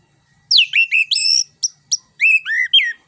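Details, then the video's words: Orange-headed thrush, known locally as anis kembang, singing a lure song meant to coax a silent bird into song: quick varied whistled phrases, sliding and rising notes with short sharp chips between, loud and clear over silence. "PANCINGAN JITU ANIS KEMBANG GACOR NGEROL NGEPLONG"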